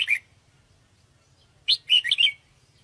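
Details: Sooty-headed bulbul sound for trapping birds: a single short chirp, a pause, then a quick cluster of several warbling notes.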